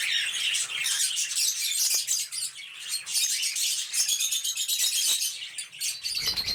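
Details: Colony of breeding cockatiels (Nymphicus hollandicus) in an aviary: a crowded chorus of overlapping shrill chirps and squawks.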